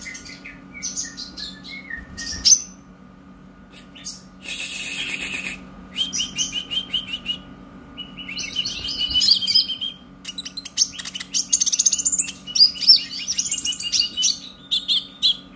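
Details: Brown-breasted young purple-throated sunbird learning to sing, in energetic chatter. Scattered high chirps give way to a brief rushing noise burst, then longer spells of rapid squeaky twittering and trilled high notes. A faint hum is steady underneath.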